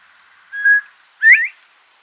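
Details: Northern Bobwhite, a quail of open brushy areas with dense cover in Mississippi, now scarcer, gives its clear two-note namesake whistle: a short, even 'bob' then a louder, upslurred 'white'.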